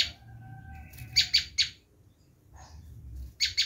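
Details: Bar-winged prinia screaming call, used for luring wild prinias: a few short bursts of harsh high notes, with thin steady whistles from another bird in the background.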